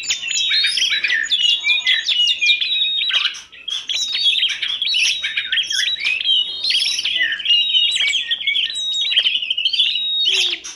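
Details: Gacor song from a masteran compilation of kacer, tledekan gunung and prenjak. A long, energetic stream of repeated chips, bright whistles and buzzy trills is briefly interrupted once, then resumes nonstop.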